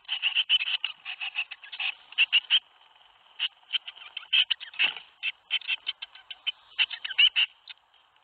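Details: Fledging day at a Théding nest box, 21 May 2019, seven tit young leaving: runs of quick, high, harsh chirps in uneven clusters with brief silent gaps and one low thump near the middle.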